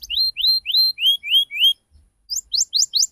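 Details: Canary lure song meant to prompt young canaries to respond: a series of rising whistled slurs repeated about every quarter second, a brief pause, then faster sharp upswept chips.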